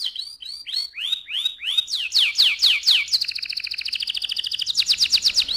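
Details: Canary song meant to excite the male and prepare the female for breeding: a run of arched, whistled notes repeated about twice a second, then sharp descending sweeps, a fast buzzing trill and a final quick rolling series.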